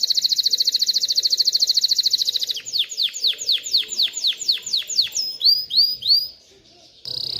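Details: Male canary singing, said to teach young birds to sing and prepare females for mating: a fast buzzy trill, then a run of downward-sweeping whistled notes about three per second, ending in rising slurred notes and a short trill.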